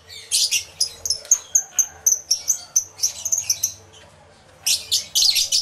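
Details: Aviary full of lovebirds, including yellow-collared lovebirds, captured live on a camera with two external microphones: a string of sharp high chirps and squeaks in quick succession, a brief quiet gap, then a noisy burst of overlapping chatter.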